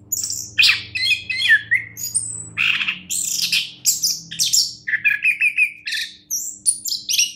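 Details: A champion orange-headed thrush delivers harsh squawky notes mixed with whistled slurs and quick chirps in a busy, unbroken song, over a low hum and faint rumble.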